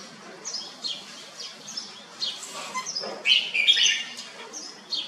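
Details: Caged red-whiskered bulbul giving short bright chirped and whistled notes in scattered bursts, a louder warbled phrase near the middle, over a steady low electrical hum.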